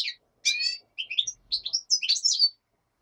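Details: Black-headed goldfinch singing during daylight: a short chirp, a buzzy nasal note, then a quick sequence of bright, liquid twittering notes rising and falling; a common nightingale sings in the background.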